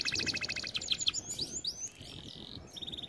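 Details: Training song of a canary: quick stacked chirping notes, then swooping slurred whistles and a steady high trill, with a brief quieter gap before another rapid trill begins.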